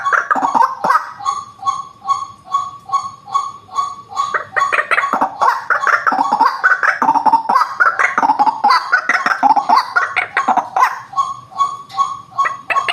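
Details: White-breasted waterhen lure recording: evenly spaced, clipped notes repeated a couple of times per second give way to a frantic, harsh croaking burst, then the steady repeated notes return.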